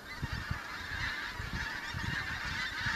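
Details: Pink-footed geese, newly arrived autumn migrants, over the Kelvin Valley in North Glasgow, 25 September 2021: a continuous babble of overlapping nasal honks from a large flock, with low rumbling beneath.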